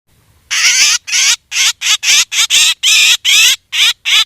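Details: Black drongo calls played as a hunting lure: loud, harsh, buzzy squawks in a rapid, uneven series of about ten notes after a short silence, each rasping burst packed with high overtones; no other sounds.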